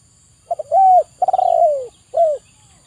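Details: A stressed-dove therapy recording of zebra dove song: staccato pair, an arched whistled coo, a trilled phrase gliding downward, then a short falling coo, clean and clear against a quiet background.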